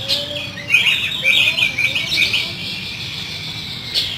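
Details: Oriental magpie-robin rough fill-in song, used as therapy to get a kacer singing vigorously: a continuous high warbling of sliding whistles and chirps, with a low rumble of background noise beneath.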